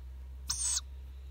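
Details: Wild owl chicks in Japan calling while resting and dozing near people; a single harsh, breathy high screech of roughly a third of a second, with a low constant drone beneath.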